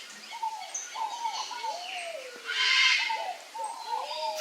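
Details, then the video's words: A male pale-crested woodpecker eats papaya while uttering repeated arched, slurred calls, some longer drawn-out notes falling in pitch, interrupted by a loud rustle near the middle. "PICA-PAU-LOURO macho, fazendo uma boquinha no mamão (CELEUS LUGUBRIS), PALE-CRESTED WOODPECKER."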